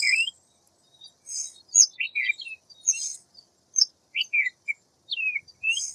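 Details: Sharp high chirps and quick downward-slurred whistles from a white wagtail, in short clusters with brief gaps, some notes harsh and buzzy, the background quiet.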